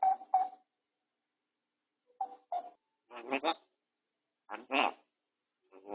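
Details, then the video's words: Grey parrot kept as a pet, speaking while resting and recovering from a beak injury, captured by a home camera indoors: short tonal clicks, then two speech-like harmonic phrases separated by silence. "아파도 말은 포기 못하는 앵무새, 회색앵무"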